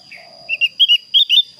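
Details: Javan grey-throated white-eye calling to a rival with clear tones: five short, sweet whistled notes in pairs after a soft lower murmur, over a constant faint high-pitched tone.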